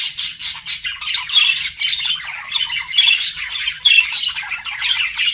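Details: Flirting pet budgies trade sharp squawks and busy chattering chirps in bursts, with short dips between phrases and a few clear whistled notes.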